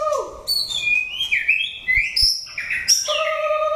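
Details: Wild-caught mature white-rumped shama being trained for singing contests; a rich, varied run of whistled phrases, with a falling low whistle, rising high slurred notes and sharp clicks, ending on a steady clear double-toned whistle.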